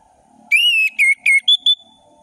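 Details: Orange-headed thrush in ngeplong song: a loud, pure whistled phrase of five notes, the first long and gently falling, the next ones shorter, ending on two higher, steadier whistles.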